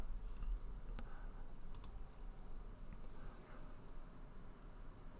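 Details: Irregular clicks of computer keyboard typing in a small indoor room, with low steady hum underneath and no animal sounds.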